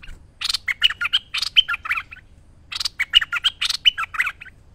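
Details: Merbah lekir bulbul singing vigorously in a master recording for training other birds: two bursts of fast chattering, bubbly notes mixed with short bright whistles, each phrase lasting about two seconds.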